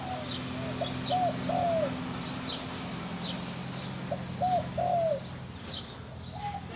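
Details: Spotted dove, Mongkhon Liu Tan song style: two matching phrases of low, rounded coos about three seconds apart, the last note of each drawn out and falling, over steady background hum and distant bird chirps.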